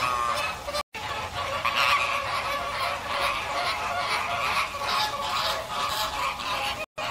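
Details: American flamingos calling together, a dense continuous flock chorus of nasal honking notes overlapping throughout, with two brief gaps of silence.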